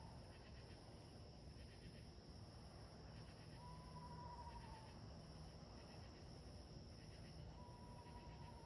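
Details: Screech owl calling in the woods: two level, whistled trills, each about a second long and sagging slightly in pitch, spaced roughly four seconds apart over steady low rumble and faint hiss.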